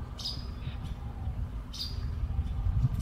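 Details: Russet sparrows, two seen together, recorded 8 March 2022 in Baihe District, Tainan, Taiwan; two brief, high chirps about a second and a half apart, over a steady low rumble of background noise.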